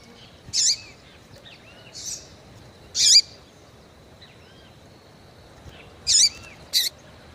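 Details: Calling female Double-collared seedeater, heated and eager, used to warm up males: five short high chirps, several ending in a downward-curving tail, given in loose pairs against a constant faint high-pitched hum.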